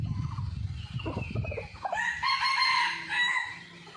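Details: After a storm, a red junglefowl is recorded in the morning by a hidden camera. Low rustling is followed by a drawn-out crow with a rising start and a long, strained, harmonic tail fading out.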